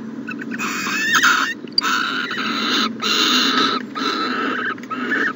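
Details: Owl at a nest box in the morning, 14 January 2020: four harsh, broadband hissing bursts of about a second each, separated by short gaps, over a low steady background hum.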